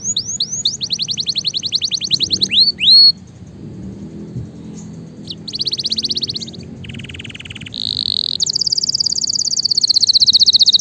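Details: Canary song used for training and stimulating a lazy, quiet canary to sing: rapid high rising sweeps, a dry buzzy rattle, then shifting pure-toned trills and a long high rolling trill, over a low murmuring background.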